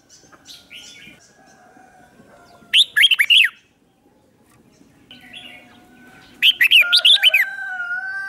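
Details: Red-whiskered bulbul used as a lure, singing two quick phrases of sharp, looping chirps set against a steady faint whistled tone and soft background twitters.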